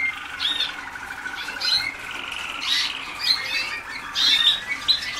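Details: Young Waterslager canaries at a song school in 2010, just beginning training: soft warbling with scattered high chirps and whistles, louder bursts near the middle and end.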